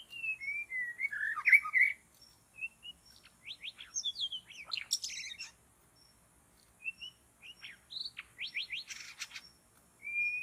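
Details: White-rumped shama in a forest during bird trapping: a varied run of clear slurred whistles, rising and falling, mixed with quick sharp chirps and buzzy notes, in bursts separated by short pauses.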